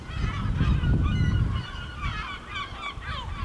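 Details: Gulls circling a village in Ortegal as night falls, a crowded burst of clear, bending yelps and squeals over a strong low rumble that fades after the first second and a half.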